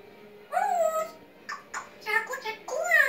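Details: Talking African grey parrot producing rapid voice-like sounds: a long falling whistled note, then a string of short clipped syllables, and finally a rising, bright whistle, all indoors with a low background hum.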